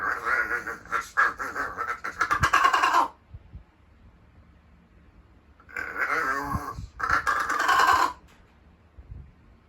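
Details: Rescued large-billed crow in a small room, most lively in the morning, practising varied calls; raspy, wavering, voice-like phrases in bursts of two to three seconds separated by quiet pauses.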